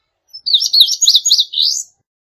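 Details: High-pitched indigo bunting song, a short burst of buzzy, paired zigzag notes that finish on a longer rising slur, with a clear background.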